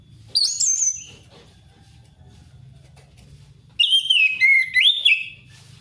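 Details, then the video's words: Orange-headed thrush singing loudly in wild forest style, used to lure a reluctant thrush into song: a bright whistled phrase with high slurred notes, a pause of about three seconds, then a longer run of varied rising and falling whistles. "Anis merah ngeplong ngalass"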